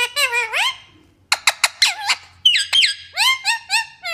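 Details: Talking parrot indoors giving squeaky, nasal vocal phrases: rising whining tones, then a quick cluster of short sharp clicks, then more upward-sliding squeals in short bursts.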